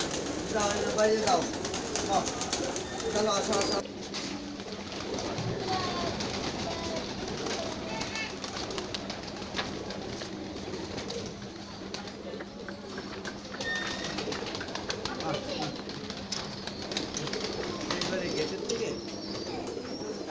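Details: A rooftop-kept flock of domestic pigeons (Columba livia) coos together in soft, overlapping murmurs, with voices talking nearby.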